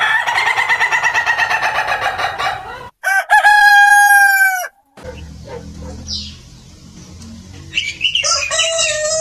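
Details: Roosters of several types crowing at a chicken farm: a harsh, buzzy crow at the start, then a loud, drawn-out, even crow with a clean cut-off, and a later crow rising over noisy background.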